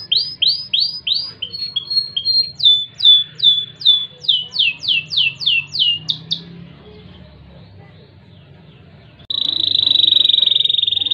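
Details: Kenari jambul loper delivering cengkok gurih song: a run of rapid downslurred chirps, then longer sweeping notes repeated about every half second, a pause, then a dense buzzy trill at the end.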